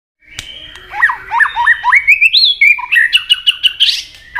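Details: White-rumped shama singing competitively to provoke rivals: a varied run of clear whistled and slurred notes, rising and falling, then quick repeated phrases climbing higher near the end.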